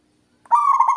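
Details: After a brief silence, a local zebra dove launches into a loud, strong, ringing coo, held on a steady pitch with a slightly pulsing, buzzy texture.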